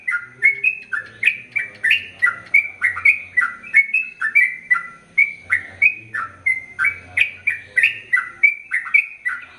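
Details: Energetic sooty-headed bulbul delivering a long continuous song for tutoring males and females: fast series of clear, bouncing whistled notes, rising and falling, about three per second, faint low hum underneath.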